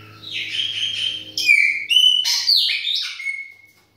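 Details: Chopi blackbird in a kitchen giving a continuous string of clear whistles, including sliding notes and quick upward and downward sweeps, ending in a long falling whistle. A low hum fades out midway.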